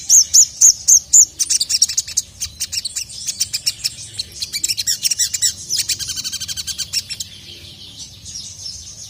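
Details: Sogon, agitated, calling a male: opens with evenly spaced piercing high notes, then breaks into a fast rattling chatter of thin chirps that fades toward the end.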